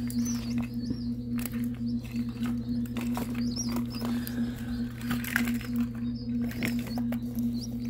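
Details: A batch of sixty ring-necked pheasant chicks just pulled from the incubator peeps in quick, high, slurred notes among clicks and rustles, over a persistent electrical drone.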